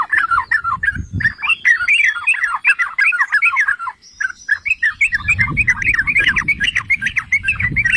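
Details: Song of a yellow-vented bulbul, known in Java as trucukan, used as bait to make other bulbuls sing: lively bubbling phrases of quick liquid notes, a brief pause midway, then a busier chattering burst over low rumbling.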